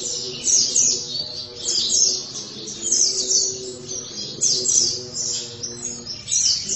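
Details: Oriental white-eye in gacor song, continuous high twittering chatter over a busy background with steady low tonal sounds.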